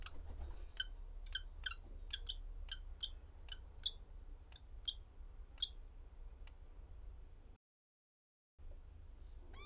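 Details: Male common kestrel luring a female to the nest while attacked by a dove that had earlier laid (since destroyed) eggs there; fast run of sharp, clipped calls, about two each second, over a steady low rumble of wind or traffic.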